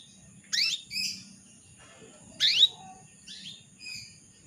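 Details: Calling female canary trying to draw a male into song: two loud rising chirps each followed by a softer buzzy note, about two seconds apart, with a low background hum.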